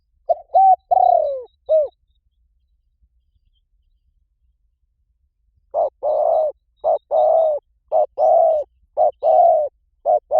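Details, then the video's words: Spotted dove calling to lure wild doves: one phrase of level and falling rolling coos ending in a hooked note, then after a pause a fast run of about a dozen short, even, throaty coos. "เสียงนกเขาใหญ่ หมานๆ ต่อเข้าเร็ว ป่าไหนก็เข้า"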